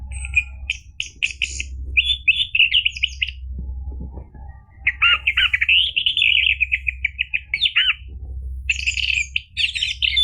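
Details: Song of an orange-headed thrush, meant to draw a caged bird into singing: long, varied, chattering phrases of fast trills and whistles with short breaks, steady low hum behind.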